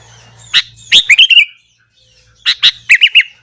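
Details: Morning sooty-headed bulbul song, sung to goad other bulbuls: two brief phrases of bright chips and lilting, down-slurred warbles, separated by about a second of near silence, with a faint low hum.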